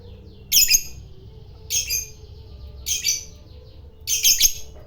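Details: Fighter lovebird, kept as a hobby bird, calling to provoke a rival: four short, shrill, buzzy high bursts spaced about a second apart over a quiet low hum.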